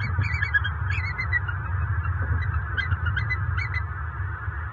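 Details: Bald eagle pair at a nest near Fort Myers, southwest Florida, October 29, 2022, calling after mating just after dark; short, high, squeaky chittering notes come in scattered bursts over a steady low rumble of wind.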